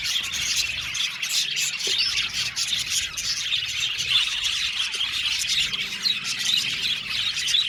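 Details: Unbroken chatter from an aviary colony of about 70 budgerigar pairs: countless overlapping high chirps and squeaky warbles merging into one steady, bustling din.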